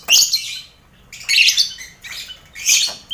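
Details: Lovebirds kept in a mixed colony cage with finches and quail, lively aviary atmosphere for contest training; three to four harsh, grating squawk bursts, each lasting under half a second.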